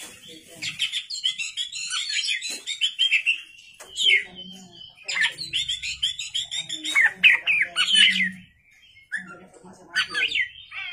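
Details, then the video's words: An Oriental magpie-robin sings at night as a lure song, a rich, fast stream of sweet whistles and scratchy trills, high-pitched, in long bursts with brief pauses; faint low voices underneath. "kacer gacor malam hari"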